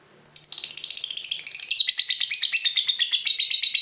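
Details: Lovebird starting a long ngekek trill, used to stimulate other lovebirds to sing: after a moment of quiet, a sudden high burst turns into a fast, steady rattling chatter that grows stronger.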